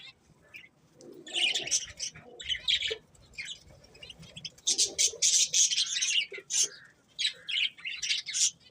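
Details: Pet budgerigars chirping in a continuous busy chatter of high, scratchy, buzzy notes and warbles, bursts tumbling over one another with short pauses, several birds seemingly calling together.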